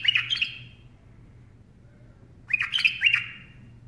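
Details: Bulbul on a hand gives a short burst of sweet, jumbled chirps, falls silent for well over a second, then delivers a longer phrase of quick warbling notes, with a low hum behind.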